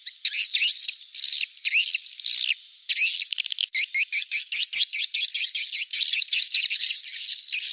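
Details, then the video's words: Swiftlets chatter in fast, high, buzzy chirps, about two or three a second, run together into a steady twittering stream; a call sound for attracting swiftlets. "SUARA WALET"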